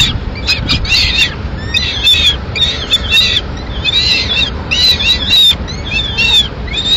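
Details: Peregrine falcon nest in Madrid on 21 May 2016, with the female feeding a piece of pigeon to two chicks. Choppy, irregular jumble of short rasping squeals and screeches, about one every two seconds, overlapping.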